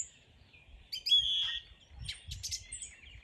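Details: Brief morning bird song: a clear sustained whistle followed by a few quick, high chirps.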